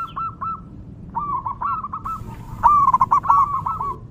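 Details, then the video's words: Local wild zebra dove singing, a recording meant for luring other zebra doves: quick bursts of short, pulsing mid-pitched coos run into rolling phrases that grow louder toward the end, over a low background rumble. "PERKUTUT LOKAL GACOR DI ALAM LIAR"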